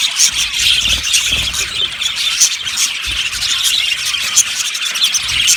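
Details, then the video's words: Budgerigar colony of yellow birds in an aviary: constant high chatter with several clear, sharp whistled chirps standing out every second or so above the flock. "Budgies chirping sounds"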